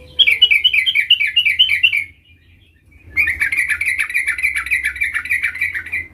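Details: Sooty-headed bulbul, a young bird learning its rolling song: a two-second run of bubbly, wavering rolled notes, a brief pause, then a longer, continuous rolling chatter lasting about three seconds.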